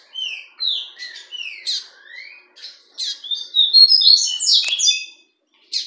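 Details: Caged fawn double-collared seedeater from a hobby breeding setup, producing continuous song: downslurred whistles at first, then a fast, loud cascade of bright, metallic twittering notes before a short pause and a final chip.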